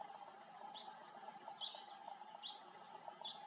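A house finch gives four short, bright chirps, one roughly every second, over a steady low hum.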